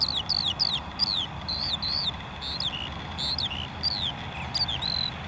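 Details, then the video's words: A lark sings a fast, tumbling stream of high, slurred chirps and trills, bright notes rising and dropping in quick succession over a soft wind-like hiss; lark song. "Lark Songs"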